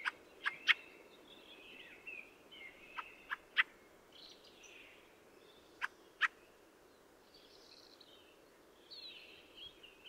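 Fieldfare: harsh, dry chack notes in short clusters, mixed with soft squeaky, chattering warbles, over a steady low background hiss.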